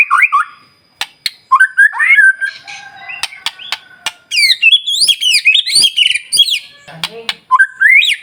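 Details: Shama song used as a lure to stir other shamas: varied whistled phrases, sharp clicks, and a high rapid burst of ringing, up-and-down notes in the middle, ending on rising whistles.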